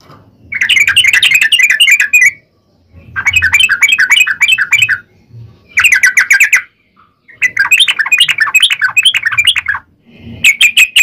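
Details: Sooty-headed bulbul in a fighting-style, long rapid song, used as a lure to provoke other bulbuls into answering: four dense bursts of bright chattering, bubbling notes, each lasting about two seconds and separated by short silences.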